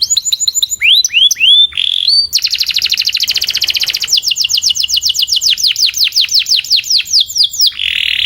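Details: A canary sings a training tutor song to improve another canary's singing: high, bright phrases, a few slurred falling whistles, then long rolling tours of quick repeated downward sweeps, several per second, with no other sounds.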